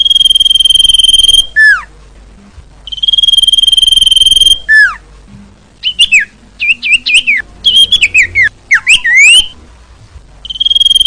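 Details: Female common iora, a call used to attract males: long pulsed steady whistles alternate with falling slurred notes, broken by jumbled twisting whistled phrases in the middle.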